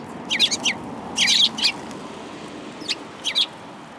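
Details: Group of sparrows, including a tail-less newcomer, recorded 13 February 2022 on the way home: bursts of two to four rapid high chirps separated by short pauses, with low constant ambient rumble.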